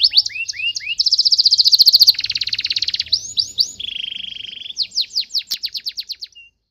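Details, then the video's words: Fierce canary song. Curling whistles lead into a very fast, dense high trill and a lower rattling trill. Looping notes follow, then a smooth buzzy trill, and the song closes with loud downward-sweeping whistles. "KENARI BOJO GALAK"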